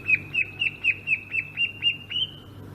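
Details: Sumatran greater green leafbird in ngerol style, giving a steady series of about nine short, sharp whistled notes roughly every quarter second, each dipping and rebounding, ending on a held tone.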